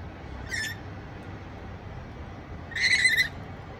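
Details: A rainbow lorikeet, calling its companions to a feast, gives two harsh, grating screeches: a short one, then a longer, louder burst, over a steady low rumble.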